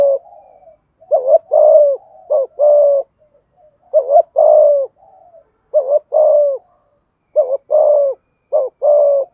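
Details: Spotted dove cooing in thúc gù style to stir up decoy birds, repeating a steady cycle of paired low hollow coos, a quick note then a longer drawn one, about every second and a half.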